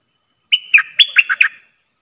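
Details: Dok taeng red-whiskered bulbul kept as a trapping decoy gives one quick phrase: a clear whistle sliding into a fast run of warbled, gurgling notes, lasting just over a second, with faint insect ticking behind.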